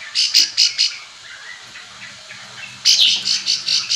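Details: Bar-winged prinia calling other birds to provoke answering song: a short run of four bright, sharp notes, a pause, then a second fast series of high chips.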